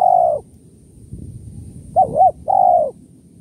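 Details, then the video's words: Spotted dove in the kuk 1-2 style used to lure doves: a long falling coo ends one phrase, then after a pause comes a full phrase of two brief rounded notes and a sustained descending coo. "suara tekukur kuk 1-2 // pikat tekukur"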